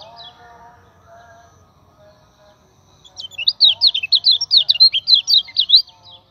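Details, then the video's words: Common iora song for training other birds: a low faint hum at first, then a loud, rapid chain of high, choppy zigzag notes for about two and a half seconds. "PANCINGAN KECIAL KUNING GACOR STABIL TEMBUS 100 CORETAN"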